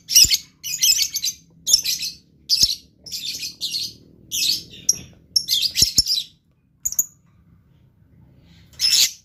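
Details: Blue lovebird in energetic gacor song: a rapid string of short, harsh, high-pitched chirps, roughly two per second, followed by a pause and then one more shrill burst.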